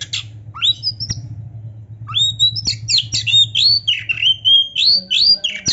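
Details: Oriental magpie-robin (kacer) singing gacor, its song full of varied fill-in phrases: quick upslurred and downslurred whistles high in pitch, bunched into rapid chattering notes, over a low steady hum.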